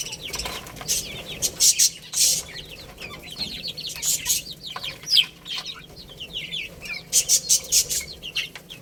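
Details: Young chicks at play and feeding, many high cheeping notes falling in pitch, repeated rapidly and overlapping, broken by bursts of sharp pecking taps.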